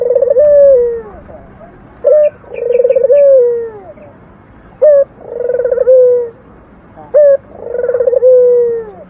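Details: Purring 'mendengkur' coo of a local Barbary dove: a brief clipped note followed by a drawn-out, trembling low coo that dips at its close. Three phrases are spaced a few seconds apart, with faint high chirps in the background.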